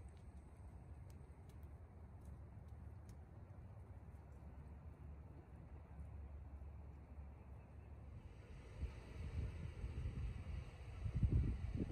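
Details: Only low wind rumble and engine-like noise, swelling near the end, with no animal calls. No bird or other creature stands out.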